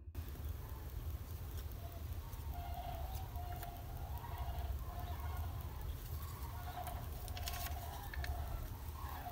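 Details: Several sandhill cranes flying low overhead give rolling, wavering flight bugles, overlapping throughout, then fading, heard from indoors over a steady low rumble.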